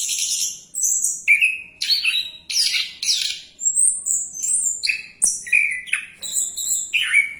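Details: Orange-headed thrush keeps singing as it dives, alternating lower whistled notes with high buzzy trills and thin sustained whistles, the phrases coming rapidly one after another in an energetic, varied sequence.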